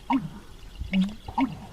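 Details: American bittern (Botaurus lentiginosus), booming call: male's mating call.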